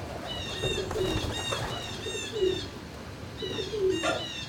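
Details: A barn full of turkeys on 26 March 2019 around midday: thin, high, repeated calls alternate with short, low, falling notes, with soft rustling and a steady low hum.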